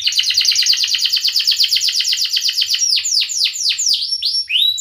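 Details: Canary in full song, played to coax silent and young birds into singing; a fast rolling trill that slows into a series of loud sweeping downslurred whistles, then shorter sharp notes.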